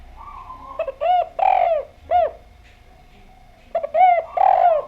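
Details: Spotted dove calling vigorously, two phrases of loud, rolling coos, each made of short stuttered notes leading into longer, downward-bending hoots, with a pause between the phrases.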